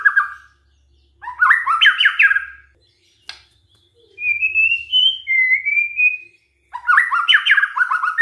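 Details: Lure recording of white-rumped shama song meant to set other shamas singing: bursts of quick rising notes framing two clear, level whistles, one higher and one lower, with a faint low hum beneath.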